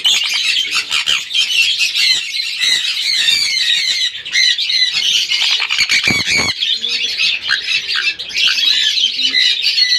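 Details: Sun conures giving a dense, nonstop chorus of harsh, high screeches and squawks that overlap throughout, with a few low thumps near the middle.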